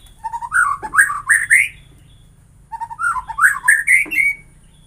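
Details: White-rumped shama song meant to make other shamas sing energetically: two bursts of climbing whistled notes, each phrase stepping upward and ending in a bright flourish, separated by a second of quiet.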